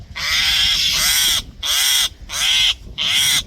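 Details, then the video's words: A common myna gives harsh, grating alert calls, four rasping bursts about half a second apart, loud and noisy with no other sounds. "Common Myna Making Alert Call"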